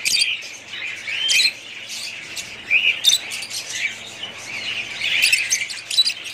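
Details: Budgerigar parrots give bursts of harsh squawks and high chirps between quieter warbling, rising and falling in loudness.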